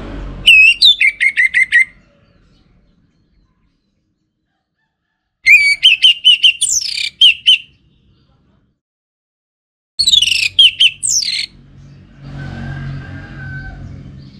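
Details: Three bursts of fast, chattering whistled song from a caged Orange-headed thrush in northern Bali, each phrase stuttering through quick rising and falling notes, silent gaps between and low rumble at the end.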